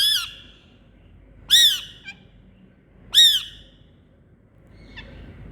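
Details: Indian green parrots calling: three loud, harsh, high-pitched screeches with dense overtones, spaced about one and a half seconds apart, separated by quiet gaps and a faint chirp.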